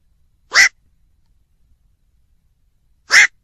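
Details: Single harsh, rasping barks from a black-crowned night heron, two of them roughly 2.5 seconds apart, clean and close against silence.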